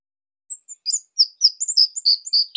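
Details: Bali orange-headed thrush song used as training material for other captive thrushes: a rapid string of very high, thin chirps and sharp whistled notes, growing denser and steadier toward the end, with no other sounds.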